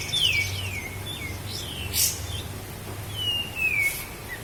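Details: Sooty-headed bulbul from Lahat, a master recording for training cage birds: a few scattered high downslurred whistles with pauses between, over a low steady hum.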